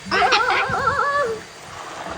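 A cockatoo gives one tonal, wavering call lasting just over a second, with a warbling, speech-like quality, over faint splashing water.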